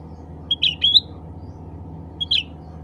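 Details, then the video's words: Black-capped bulbul calling to others of its kind: a quick run of chattering notes ending in a rising whistle, then a shorter two-note phrase, over a faint steady hum. "CUCAK RANTING SUARA ASLI MEMANGGIL CUCAK RANTING LAIN"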